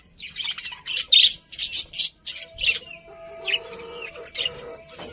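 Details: Loud high budgie chirps come in quick clusters, then give way to softer warbling with drawn-out tones toward the end.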